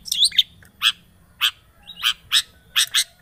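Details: Lure sound of a long-tailed shrike played to prompt a silent shrike to sing: harsh, rasping chirps given singly or in pairs about every half second.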